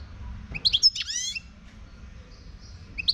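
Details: A wild Moroccan European goldfinch sings: a quick pair of sharp chirps, then a drawn-out nasal, buzzy rising note, followed by a pause and another bright chirp.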